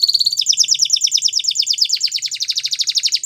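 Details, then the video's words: White Belgian canary delivering a fast, even trill of bright high notes, repeated around three per second-plus, gradually changing tone and ending suddenly. "White Canary Song | Belgian Canary Singing"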